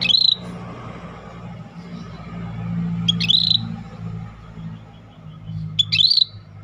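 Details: Scaly-breasted bulbul, a rare bird singing actively, gives three short high phrases about three seconds apart, each a sharp note sliding into a buzzy, pulsed whistle, over a low droning hum.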